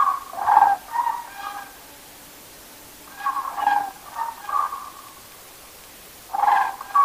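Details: Common cranes at a nighttime roost give harsh, resonant trumpeting calls in clustered bursts, with several birds answering one another and short quiet pauses between groups of calls.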